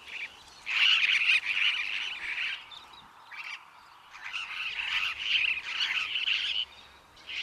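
Superb parrot giving harsh, grating, rolling calls in two long bursts of a few seconds each, with a short pause between them and no other clear sounds.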